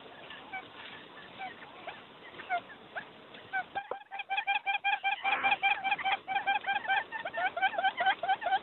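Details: Faint, scattered short notes from a lure quail, then after a brief gap a loud, rapid run of repeated nasal calls, about two per second.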